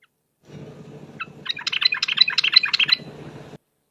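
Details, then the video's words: Yellow-vented bulbul lure song in the ropel style, delivered vigorously: a few opening notes then a fast, bright chatter of bubbly syllables, about three per second, over a low background hum. "suara pikat trucuk ropel..super gacor"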